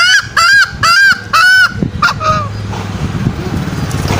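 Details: Lure call of green junglefowl for trapping wild males with snares: four quick arched, nasal notes, then two fainter ones, fading into low rumbling background noise.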